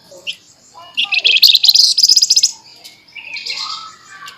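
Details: Lively flamboyan song in the sharp, rapid chattering style, recorded for training: a few soft chirps, then a loud, fast, high rattle of repeated notes for about one and a half seconds, followed by quieter warbled notes.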